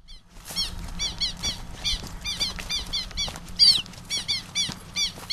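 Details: Southern lapwing chick, caught by hand and later released, giving thin high peeping notes repeated several times a second over a low steady hum.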